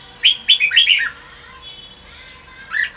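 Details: Red-whiskered bulbul singing its "bọng" style while sunning in afternoon light: a brisk burst of five chirpy, slurred whistled notes within a second, then a pause and a single looping whistle near the end.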